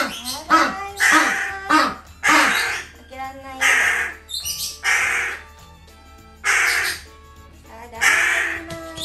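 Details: A pet crow caws excitedly indoors as its owner returns home, harsh broad bursts coming in irregular runs of two to four, with background music, a woman greeting the animals, and a penguin sharing the room.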